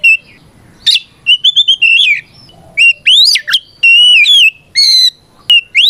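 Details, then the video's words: Fighting song of an Oriental magpie-robin, loud 'ngeplong' style meant to provoke rivals into reply; separate whistled phrases, some rising sharply, others level and slightly wavering, spaced by short silences, with a sharp click near the end. "Suara Burung kacer gacor NGEPLONG tarung"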